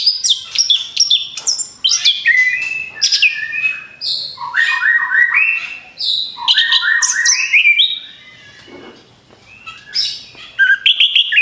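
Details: Orange-headed thrush song used to lure birds: continuous, varied medley of rapid whistles, descending note runs and harsh chatters, a brief lull, then more sharp whistled phrases.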